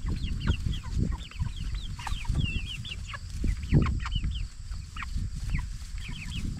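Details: Jumbo Cornish Cross broiler chickens, 44 days old, raised for meat, giving many short, high, downslurred peeps that overlap in a busy flock chorus over a steady low rumble and shuffling.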